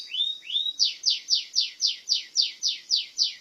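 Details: Canary of the burja type singing: two rising whistled slurs, then a fast even run of about ten high, sharply descending notes, clean and without background noise.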